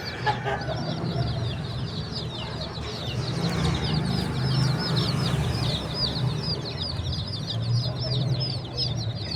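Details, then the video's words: Baby chickens chirping as a crowd: dense, overlapping high peeps, each a quick downward-sliding note, pouring out continuously over a steady low mechanical hum. "The Chirping Sounds of Cute and Funny Baby Chickens"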